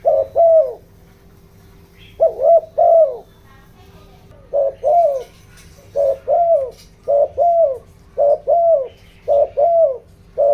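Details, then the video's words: Decoy spotted dove in bronze-voiced coo meant to draw wild birds: about a dozen low paired coos in quick, uneven succession, short note then longer sagging note, with faint distant chirps in the background. "tiếng chim cu gáy kích bổi, tiếng chim cu gáy giọng đồng ,tiếng chim cu gáy hợp bổi"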